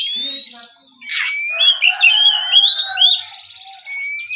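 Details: Oriental magpie-robin singing in the morning in a relaxed, open 'ngeplong' style. Long clear whistles rise and slide, then a burst of varied buzzy and chattering notes, ending with another rising whistled note.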